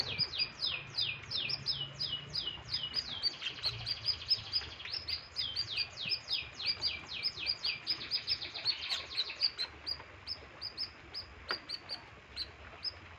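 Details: Canary in heavy breeding condition delivers long tours of rapid, high, downward-slurred notes, repeated several times a second for about ten seconds, shifting between syllable types, then trailing off into sparse chirps.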